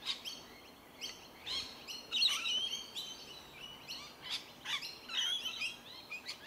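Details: Feeding Rainbow lorikeets on tree violet berries, Melbourne, Victoria, January 2021: grating, screechy calls in short uneven bursts with a few thin whistled squeaks, birds calling over one another.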